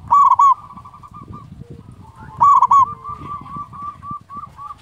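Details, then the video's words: Local zebra dove, a steady singer with a big voice, kept as a tutor to rouse silent doves: two loud, harsh coo bursts, each trailing off into a long, level string of soft, rolling notes over a murmuring background. "perkutut lokal gacor SUARA BESAR"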